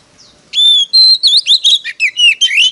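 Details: An Oriental magpie-robin gives a fast, loud competitive song used as a lure and training call: clear, high whistles and slurred notes that rise and fall, several phrases per second, with no other sounds.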